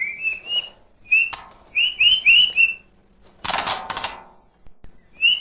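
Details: White-rumped shama in filler-rich song: short, pure whistled notes in quick runs, followed by a coarse, hissing rattle and one final whistle.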